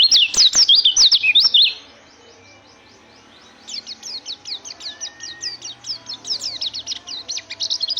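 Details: White-eye song in two bursts: a loud, quick string of high warbled notes, a short pause with faint background hum, then a softer, rapid twittering series of thin high notes that builds again toward the end.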